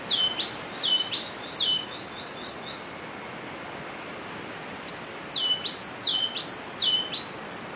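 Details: Yellow-cheeked tit (Machlolophus spilonotus) calling among its social group: two bursts of rapid, high whistled phrases, each note rising then sliding downward, separated by a few seconds of quiet with soft outdoor hiss.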